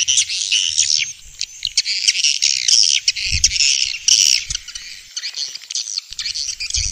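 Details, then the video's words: Vietnamese swiftlet sound for attracting swiftlets to bird houses: continuous busy, harsh high twittering and chirping with a faint low rumble in the background. "Tiếng chim yến kêu đã được chứng minh ||Tiếng chim yến kêu từ Việt Nam"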